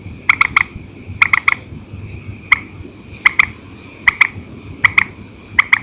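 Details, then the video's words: An old night recording of a purple swamphen giving single and paired calls: sharp clicks in threes, then singles and doubles spaced about a second apart, a low hum beneath. "Tiếng trích hay file cũ TRÍCH 29, đánh đơn đánh kẹp ok, tiếng chim đêm"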